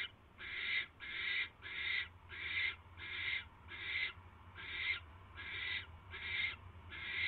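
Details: Barn owl at the nest on January 22, 2016, 10:22 PM, with a mouse arriving: about eleven evenly spaced, harsh breathy hisses, each about half a second long.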